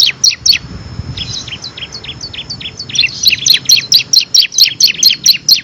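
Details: Bar-winged prinia, kristal type, in ngebren song used to master competition songbirds: spaced high downslurred notes that quicken into a steady rhythmic sequence of sharp chirps, roughly three a second.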